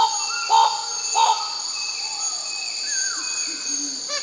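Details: A bird-of-paradise gives two loud slurred notes, then softer gliding whistles that fall in pitch, while a constant shrill insect hum runs beneath.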